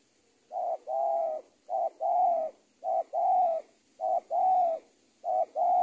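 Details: Spotted dove cooing for a bird-training tutoring track, 'super penguku' style: five regular phrases, each a brief note and a longer soft level coo, spaced roughly a second apart, with a faint high whine throughout.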